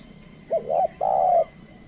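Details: Spotted dove used as a trained lure for wild doves, singing one phrase: a short clipped note, a slightly rising hoarse coo, then a long, level, mellow coo ending abruptly.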